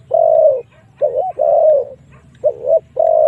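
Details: Used to lure wild doves into fighting, a spotted dove gives full, rounded coos: long steady notes alternating with shorter double-humped ones, close together over a low hum.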